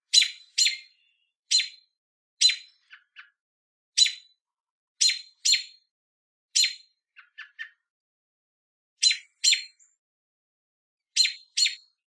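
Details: An adult American robin in Southern Ontario, Canada, gives a warning call near its fledglings to keep a person back: sharp high chips, singly or in quick pairs about once a second, with softer lower tuts between them.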